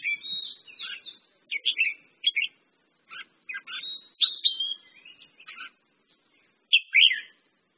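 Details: Red-whiskered bulbul delivering lively whistled phrases of several slurred notes each, rising and dipping, with short silences between phrases and a clear final phrase near the end.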